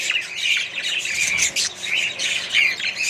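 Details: Mixed aviary colony of Australian budgies: harsh squawky notes and thin chirps pour out continuously from many birds, loud and dense from start to finish.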